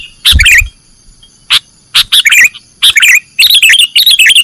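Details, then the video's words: Sooty-headed bulbul singing in the 'nggaruda' style for training caged birds: clear, bubbly whistled phrases with fast wavering notes, some short single chirps between them, and a low thump at the start. "Masteran burung kutilang nggaruda"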